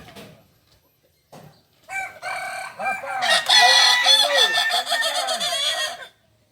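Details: Kukuak Balenggek chicken from Solok, West Sumatra, crowing at a practice gathering; after a few faint sounds, a loud crow builds into a chain of six or so arched, stepped syllables before stopping abruptly.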